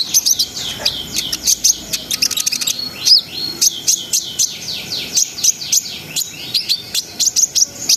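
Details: Brown-throated sunbird singing an energetic song, said to help raise breeding arousal in other birds: rapid, high, thin chirps and twittered notes, with quick rising and falling sweeps in dense bursts, almost continuous.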